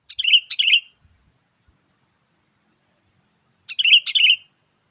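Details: Sooty-headed bulbul calling, played to lure wild bulbuls: a pair of bright, warbling, slurred notes, about three seconds of quiet, then an identical pair.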